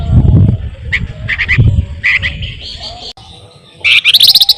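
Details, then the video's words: Pin-striped tit-babbler, local name flamboyan, singing to lure other songbirds: short high chattering phrases, a softer pause, then a fast loud burst of repeated sharp notes at the end, with low rumbling noise throughout. "flamboyan gacor paling rajin ngerol ngebren sangat ampuh buat pancingan burung kicau"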